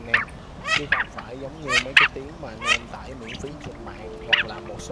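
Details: Male and female mandarin ducks calling to the flock, a recording used to lure migrating ducks into night nets. They give short, squeaky, whistled calls at an irregular pace, about ten in five seconds, over a faint steady hum.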